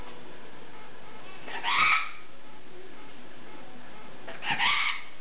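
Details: A severe macaw, after bath time with an oatmeal snack, gives two harsh, raucous squawks about three seconds apart, each roughly half a second long, over a quiet indoor background.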